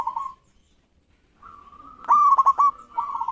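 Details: Zebra dove, a local bird singing eagerly to spur rivals to sing. A short coo, a pause, then a drawn-out steady note swelling into a loud stuttering phrase of rapid pulses and a trailing coo.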